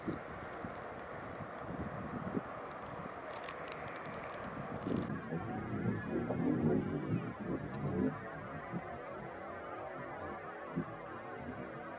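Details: Low, steady rumble like passing traffic, with some muffled mid-range noise and no bird song or calls.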